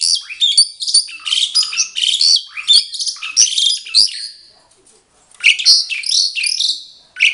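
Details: Mated pair of caged Asian pied starlings singing back and forth: dense, rapid harsh chattering and bright whistled squawks for four seconds, a brief pause, then another chattering burst.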